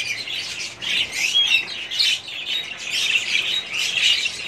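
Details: Budgerigars in a colony in 2017 fill the air with dense twittering and harsh little squawks, rising and falling in pulses roughly every second, with occasional thin whistled notes.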